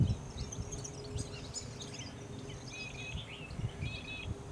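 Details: A male European goldfinch in a weedy roadside area within farmland, Richmond Lowlands, NSW, early September 2017, gives light, tinkling twitters in quick, scattered bursts, half-buried under a steady low rumble and faint hum.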